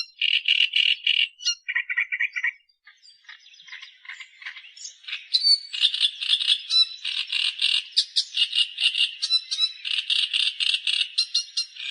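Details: Long bout of Australian reed warbler song: loud rasping notes, a softer jumbled stretch, then an intense, fast series of harsh chattering units mixed with thin high whistles.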